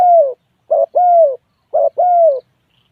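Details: Mellow spotted dove coos. A long falling note is followed by two paired phrases, each a short burst and then a smooth, slightly dropping hoot, spaced about a second apart.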